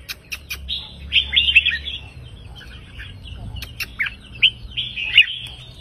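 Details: Red-whiskered bulbul counting-phrase song with 3-4-5 note phrases, softer here: a few warbled whistled phrases and scattered sharp ticks over a low background hum.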